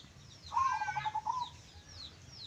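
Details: Klongklung-style song of a local zebra dove of the songgo geni bedah bumi type: a single rapid, stuttering series of low coos for about one second, with faint bird chirps in the background.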